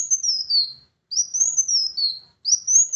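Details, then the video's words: Van Hasselt's sunbird song used to prompt a quiet bird to sing: three long, thin, very high whistled phrases, each sliding up then gently falling, separated by brief pauses. "PANCINGAN ampuh Kolibri Wulung MALAS Bunyi agar GACOR"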